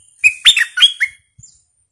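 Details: Decoy bulbul in captivity, called fierce, July 2021: a short, energetic phrase of four or five bubbly whistled notes rising and falling. It is followed by silence and a faint soft knock.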